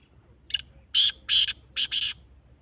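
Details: Black francolin calling: a short harsh, grating phrase of five rasping notes, a brief opening note, then two longer buzzy bursts and a quick closing pair, over a quiet background.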